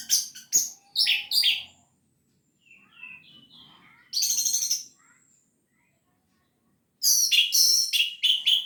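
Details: Orange-headed thrush singing in the gacor teler style, used to stir other birds into song; bursts of rapid, high chirpy notes separated by pauses, with a softer twittering run in between.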